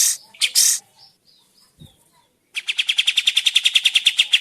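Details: Sooty-headed bulbul lure: after a few scattered loud chirps and soft notes, an even two-second series of quick, buzzy repeated notes, roughly five per second.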